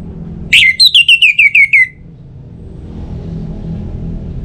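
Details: Orange-headed thrush singing, played to encourage other birds into song: a single rapid string of about seven sharp, high whistled notes lasting just over a second, then only a steady low rumble.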